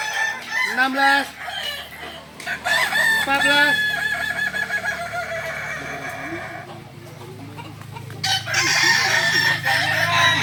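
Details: Balenggek rooster in a crowing contest at Ampang Kualo, Kota Solok: successive long, stepped crows with wavering pitch, several overlapping, separated by short gaps, with crowd noise and a low hum.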